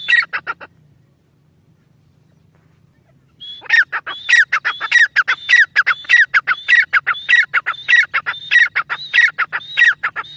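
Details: Irani teetar, the grey francolin, opens with a few harsh notes, goes quiet over a low steady hum, then launches into a long, evenly paced string of loud, ringing, whistle-tipped phrases.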